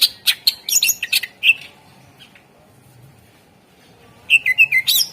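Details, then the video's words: Lure song of a Greater green leafbird, meant to prompt other birds to sing: rapid sharp chirps and short whistles, a pause of nearly three seconds, then another quick run of descending whistled notes. "Suara Pancingan CuCak Ijo / Murai Ijo Gacor Ampuh Bangat Burung Pancing Burung Yang Macet Suara"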